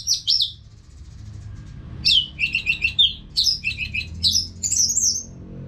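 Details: Nonstop song of a caged Orange-headed thrush, played as training sound so other birds answer. Brief opening chirps, a quiet stretch, then a rapid series of sweet, downslurred warbled phrases bursting about twice a second over faint background hum.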